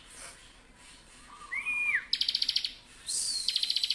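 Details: Bar-winged prinia: a single arched whistle, rising then dropping, bursts into a quick, buzzy, metallic trill, followed moments later by another rapid trill of even, high notes.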